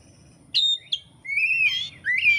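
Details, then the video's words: Song of an oriental magpie-robin, used by Indonesian songbird keepers for training: two sharp whistled notes, then long rising fluty slurs with a rough buzzy edge. "kacer gacor materi komplit kicau mania Indonesia"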